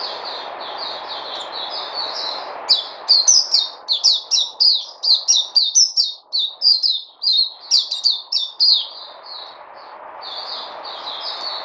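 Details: Dated 29 August 2020, a white-eye known as Puteh: soft high twitter under noise that swells into a loud, fast sequence of sharp chirps, some notes flicking very high, then quietens again.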